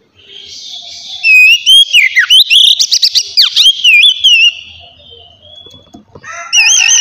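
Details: Singing Oriental magpie-robin, relaxed ngeplong style, played to stimulate other magpie-robins: a three-second phrase of sweeping whistles and clipped trilled notes, a softer gap, then a new phrase opening with a clear wavering whistle.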